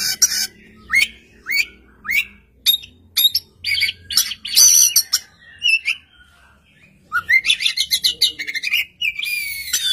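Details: Oriental magpie-robin singing from one spot as another answers: evenly spaced upslurred whistles about every half second, dense loud chattering bursts, then a rapid string of short sharp notes and a buzzy rising sweep.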